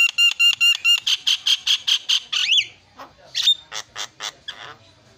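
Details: Champion Javan myna singing a rapid train of ringing, harmonic notes about seven per second, then a harsh squawk and a looser series of scratchy chips fading into quiet.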